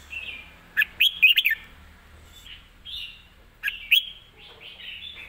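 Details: Red-whiskered bulbul in fast song with good phrasing: a tight burst of loud, rolling whistled notes, a quieter warble, then two more sharp whistles against light background hiss.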